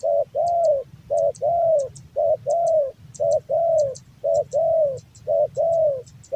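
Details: Steady cooing from a male spotted dove of the Javan type kept as a hobby bird: a short note then a longer arched coo, the pair repeated about once a second. Sharp high double ticks recur throughout.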